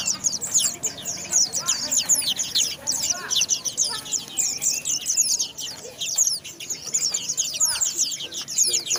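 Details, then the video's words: White-eye singing a fast, continuous, high-pitched twitter of thin sliding notes and chirps, packed densely throughout, with faint low background murmur. "Burung pleci mantap"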